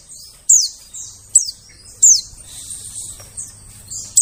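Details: Calls of a white-eye played as a forest bird lure: three loud, thin notes falling sharply from very high pitch in the first two seconds, then softer high chirps, over a constant low drone.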